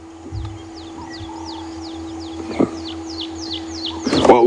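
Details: Red-crested Korhaan (Lophotis ruficrista) calling during a morning safari drive at Djuma Game Reserve on 22 January 2016. It gives a steady series of high, downslurred whistles, two or three a second, heard from the vehicle over engine hum and brief knocks.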